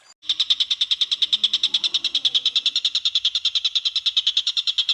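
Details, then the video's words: Greater green leafbird tutor song for training other birds: a sustained, very regular machine-gun series of rapid bright notes, roughly three per second per beat cluster, continuing unbroken for nearly five seconds. "MASTERAN cucak ijo full tembakan"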